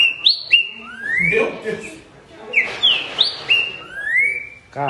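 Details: Green-winged saltator song: clear whistled phrases of short high notes followed by long rising slurs, given twice with a pause between, over low background chatter.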